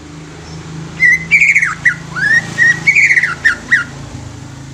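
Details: Young greater green leafbird singing, used to stimulate untrained leafbirds into song: loud, clear whistled phrases with slurred rising and falling notes in quick bursts over about three seconds, with a steady low hum behind.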